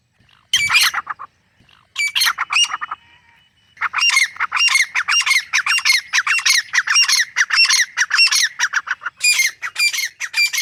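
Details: Male and female wild grey francolins calling in a jungle; a few harsh broken notes, a short pause, then a sustained fast series of loud grating squawks repeated roughly twice a second.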